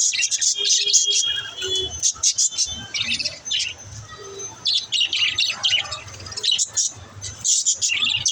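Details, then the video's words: Chirping pet budgies, meant to encourage a lonely budgie to chirp: rapid, scratchy high twitters in clustered bursts, with brief steady whistled tones mixed into the chatter and a faint low hum beneath. "Help lonely budgies to chirp"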